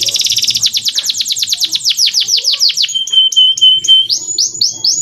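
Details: Clear singing of a male canary, used to train young canaries: a fast buzzy trill slowing into falling notes, a long level whistle with short chips, then swooping upslurred phrases.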